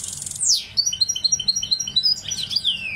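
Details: Brief burst of goldfinch mule song: a loud descending buzzy sweep, then a quick series of bouncing, tinkling high notes and a final downward slur.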